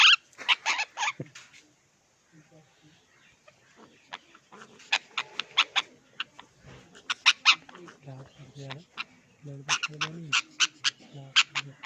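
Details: Pet parrots, an Indian ringneck and an Alexandrine playing with roses while an African grey makes funny noises nearby; loud, harsh, sharp screeches in quick bursts and rapid runs, separated by lower humming, voice-like tones and short pauses.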